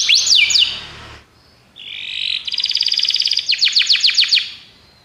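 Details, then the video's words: Belgian canary singing for canary training: quick downward slurs, a short quiet gap, then a buzzy rolling trill giving way to a string of descending sweeps about five per second. "treinamento para canário belga"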